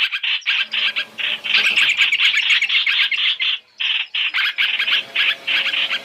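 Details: Chinese hwamei in a three-in-one lure recording used for trapping: dense bursts of harsh, buzzy chattering notes, rapid and uneven, with a brief pause mid-way before the scolding resumes.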